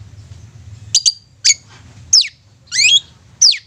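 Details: Long-tailed shrike song used as a lure to make silent or stubborn shrikes sing eagerly: sharp high chirps and slurred downward sweeps in irregular bursts, about one every half second, over a faint low hum.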